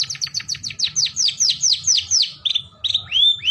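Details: Long-tailed shrike giving a lively, full song: a fast run of sharp, high, downslurred chirps repeated about five per second, then slower drawn-out whistled notes, the last one rising then falling. The background is quiet.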